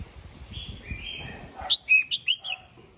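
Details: Red-whiskered bulbul singing in the morning to call the flock: faint whistles, then a crisp phrase of five or six quick, liquid chirping notes over low background rumble.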